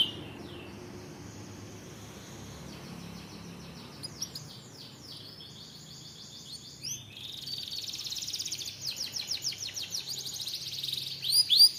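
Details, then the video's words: Canary song that opens with a thin held note and scattered swept notes, then builds from about seven seconds into a bright, rapid, rolling trill that grows louder toward the end, with a soft low hum beneath. "Does your canary have difficulty singing? play this now"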